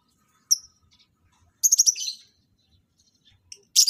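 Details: Lovebirds in a breeding pairing session; an isolated piercing squeak, then a harsh stuttering chatter of rapid notes, followed by faint quiet chirps and a final loud shriek.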